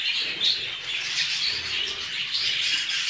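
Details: A breeding group of show jumbo budgerigars chattering nonstop, bright warbling chirps layered over one another with a few sharper whistles.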